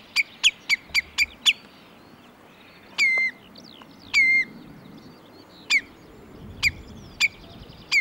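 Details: Common redshank calling in Sweden, with a Northern Lapwing in the background. A quick burst of six clipped high notes, then spaced drawn-out downslurred whistles and single sharp notes.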